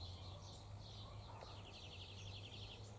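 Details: A male rufous whistler comes down to drink at a birdbath in autumn, giving thin high notes and then a quick run of about ten repeated chips, over a steady low hum.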